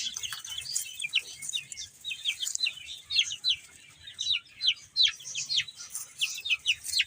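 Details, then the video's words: Chicks eating and playing, calling in clear separate high peeps that slide downward, repeated quickly by several birds, over quiet low rustling. "Cute Chicks Chirping Sounds | Beautiful Baby Chicken Eating and Playing"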